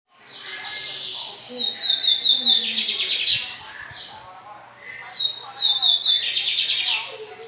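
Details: A captive lined seedeater (bigodinho), praised for its spectacular song, sings two bursts of fast, high twittering song with buzzy trilled notes, each about three seconds long; faint handling noise sits underneath.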